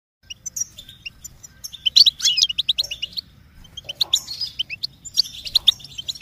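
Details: Goldfinch song of quick, bright twittering notes and short trills run together in a continuous chattering stream, with denser bursts around two and four to five seconds.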